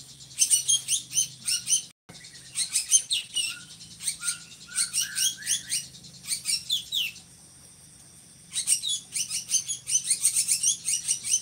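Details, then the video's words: Drongo in vigorous song, valued as a tutor for training other songbirds; rapid bursts of high, rasping chatter mixed with short descending whistles, a pause near the middle, then renewed chattering. "SRIGUNTING GACORRR"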